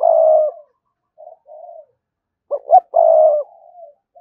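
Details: A spotted dove sings to draw rival males in to fight. It gives low, hoarse coos: a long coo, softer short notes, then two quick rising notes leading into another long, drawn-out coo. The background is quiet.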